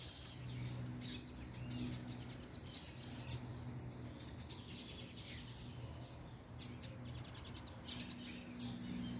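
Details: Double-collared seedeater singing in the puxada song style: rapid high twittering phrases in short bursts, with sharper notes near the start and end, over a steady low hum.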